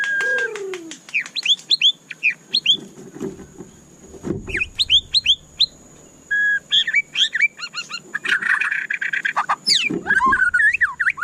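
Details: White-rumped shama (murai batu), a cage bird, delivering a long, varied song: rapid clicking notes, series of upslurred whistles, then dense warbling and swooping phrases, with occasional low thumps.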